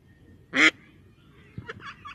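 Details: Female mallard quacking: one loud, harsh, nasal quack, then a few softer, shorter quacks in quick succession, with quiet background.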